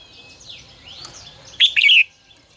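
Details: Red-whiskered bulbul 'ché căng lửa' song used as lure for voice training: faint sweeping thin whistles of other birds first, then a loud, bright, rapidly warbled whistle phrase lasting about half a second.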